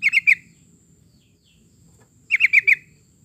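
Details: Yellow-vented bulbul lure recording for coaxing other birds into song: two short bursts of three to four rapid, bright chirps about two seconds apart, with a faint low hum between them.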